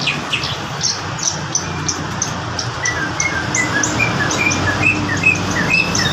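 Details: Horsfield's bush lark singing actively: short, sharp, high chirps and whistled notes, repeated quickly at an uneven pace, over a steady background hum of insects.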